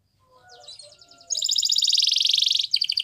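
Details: Yellow canary in song, opening with soft notes and then bursting into a loud, rapid rolling trill of high pulses, followed by a brief change to a new trilled phrase.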